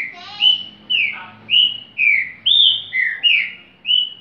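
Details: Green-winged saltator singing in the 'repetidor' style: a run of about eight clear, slurred whistled notes in four seconds, several dropping in pitch, delivered at an uneven pace over a faint low hum.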